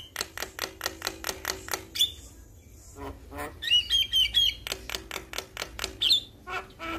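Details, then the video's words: Male Javan myna calling companions, which answer: fast even series of clicking notes, a pause, a row of short high whistled chips, then more rapid clicks. "Jalak Kebo Jantan Memanggil KAwan Jalak Yang Dengar Langsung Respon"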